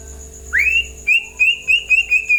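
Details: White-rumped shama singing to prompt other birds to respond: a rising whistle settles into a long clear level note, followed by five short repeated whistles on the same pitch about every quarter second, steady hum behind.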